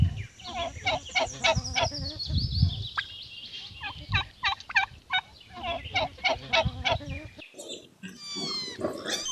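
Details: Turkey gobbling in quick rattling bursts, a fast string of short gurgling notes repeated again and again with brief pauses, then a cut to high chirping birds at the end.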